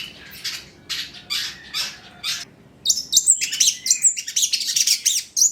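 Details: Long-tailed shrike (cendet trotol) singing to lure other shrikes into song: first raspy, spaced chattering notes, then a fast, dense run of very high squeaky whistles and warbles.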